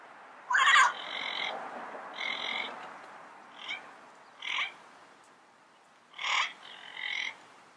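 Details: Double yellow-headed amazons in the wild give harsh, raspy squawks with a nasal ring, about seven bursts spaced irregularly over several seconds, over a soft background hiss.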